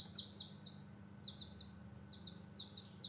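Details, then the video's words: Softer, farther peeping from newborn chicks playing outdoors: high falling notes in loose clusters against a noisy low-frequency background hum. "Newborn Baby Chicks Chirping Sound and Playing out side"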